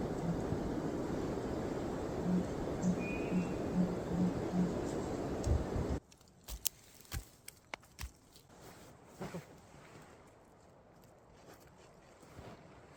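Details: Sooty Grouse, a strange noise from trees by a wilderness campsite near the Cambria Icefield, Canada, gives six deep, soft hoots about half a second apart over wind or water noise, then handling taps; one viewer suggested ptarmigan.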